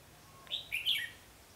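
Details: Red-whiskered bulbul used as a lure bird for trapping, 21 November 2016: one brief, bright warbled phrase of a few rising and falling notes over a low background hum.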